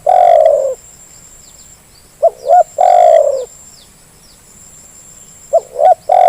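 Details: Lure recording of a spotted dove to get lazy birds calling: long low coos alternate with pairs of short rising notes, the phrase repeating about every three seconds, with faint high hiss.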